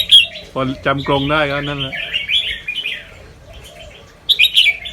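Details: Fancy albino Red-whiskered Bulbul, white with red eyes, a caged competition-line bird from Chonburi, singing a training song in a doubling, quick-trilling style. Bright chirpy phrases open and close the clip, with a man talking loudly in between.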